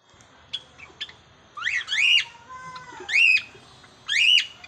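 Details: A Java sparrow (Padda oryzivora) sings: short clicks, then bright rising-falling chirped notes repeated about once a second, with a faint lower whistle between.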